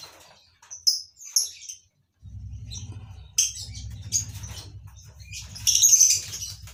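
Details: Colony-bred lovebirds give sharp, high squeaky chirps, first in a few separate bursts, then in louder clustered calls over a steady low mechanical hum.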